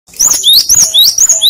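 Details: Cinereous tit used as a lure song that draws answers from other tits: a rapid run of clear high whistled notes, alternately rising and falling, delivered in quick succession with no pauses.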